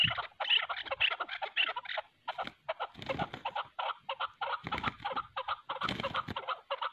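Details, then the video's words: Chukar partridges, a hunting decoy and a wild mountain bird, calling during a fierce fight: dense, rapid, harsh clucking chatter in overlapping bursts, with short pauses and a few low thumps. "shikari chakor aur pahrhi chakor k darmiyan zbardas layi"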